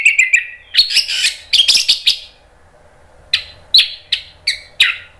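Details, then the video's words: Orange-headed thrush (anis merah) song played to prompt silent birds into singing: a quick run of high chirps, a dense cluster of sharp scratchy notes, a pause, then five evenly spaced crisp downslurred notes. "ANIS MERAH NGEPLONG GACOR"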